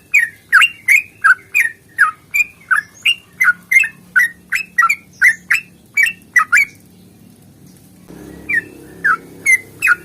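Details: Sooty-headed bulbul pouring out a fast fighting song used to trigger birds into song: quick slurred whistles about three a second, a brief pause near seven seconds, then more notes over a rising background hiss.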